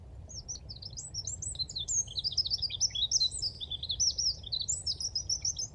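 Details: In the Dnipro river floodplain at Konche-Zaspa, Kyiv, Ukraine, on the morning of 17 February 2023, a Eurasian wren sings its mating song. It pours out a loud, rapid stream of high trills and sharp notes for several seconds without pause, over a faint low hum.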